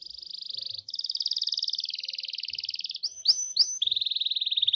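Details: Canary song used to provoke another canary into singing: long rapid trills of high buzzy notes, shifting in pitch, broken by sharp rising and falling whistled notes before another fast trill.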